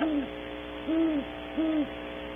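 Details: Three soft, low great horned owl hoots spaced under a second apart, from a pair at a nest cavity at Audubon Starr Ranch, California, early morning.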